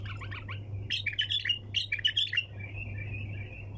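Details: A bulbul sings in the 'tour sayyad' style. Quick chirps lead into a loud, tightly packed series of bright whistled notes, which ease into a quieter, sustained warble. A low background hum is present.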